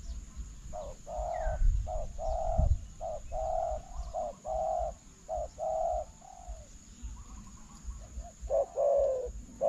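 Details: Spotted dove calling to a decoy during a bird-trapping session with a newly built trap; steady series of short, low, mellow coo notes, roughly two per second, with brief gaps, over faint low rumbling background noise.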